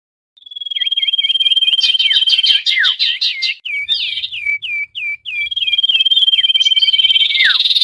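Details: Busy common iora calling used as a trapping lure. Sustained high trilling whistles open and close the passage, and between them come quick falling hooked notes and clustered chirps, several overlapping at once.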